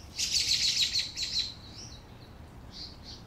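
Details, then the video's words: Canary singing a loud, rapid rolled trill of high, bright notes lasting over a second, then breaking into scattered shorter chirps that fade off. "Canary Singing"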